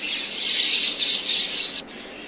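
Common myna giving a harsh, raspy, hissing call in three or four rough surges over under two seconds, then stopping abruptly.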